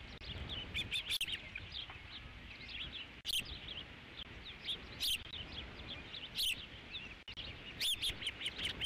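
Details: At the Dunrovin Ranch osprey nest, 3 July 2016, fifth fish delivery: persistent high whistling chirps in clustered bursts every second or so, some louder accented notes, over low wind-like rumble.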